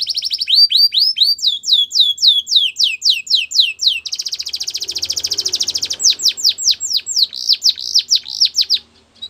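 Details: Canary training song: fast repeated downslurred high notes in rolling tours, shifting after four seconds to a dense buzzy trill, then back to looser swooping notes, about nine notes per second.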